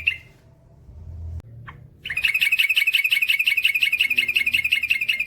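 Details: Yellow-vented bulbul in long rolling 'ropel panjang' style: after a short note and quiet pause, a fast, steady rattling trill of high sharp notes runs for about three seconds without a break.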